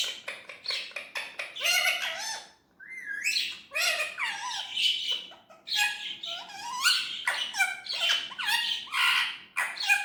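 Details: Pet Indian ringneck parrot chattering nonstop in a small room, mixing quick chirps, slurred up-swept syllables and rasping harmonic bursts in a rapid, speech-like stream.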